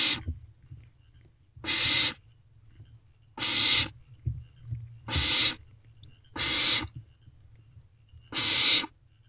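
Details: Barn owlet in an owl box at 12:28 am on 21 May 2023, swallowing a large rodent: six loud, rasping hisses of about half a second each, repeated roughly every one and a half seconds, with low rustling between them.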